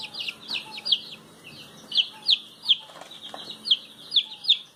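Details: Noisy ducks: loud, sharp high-pitched peeps in uneven bursts, roughly every half second, over a quieter background of soft peeping and occasional clicks.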